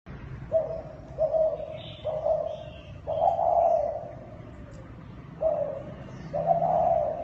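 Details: Thai spotted dove cooing: a series of short, mid-pitched hollow coo notes, some longer and slightly wavering, spaced about a second apart with a brief pause before the last two, over a low background hum.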